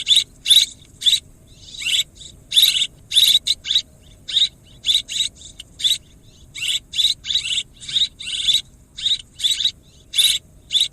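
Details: Swiftlet calls used as a lure for swiftlet farming: short buzzy chirps, loud and closely repeated in irregular bursts several times a second, with a faint low hum beneath.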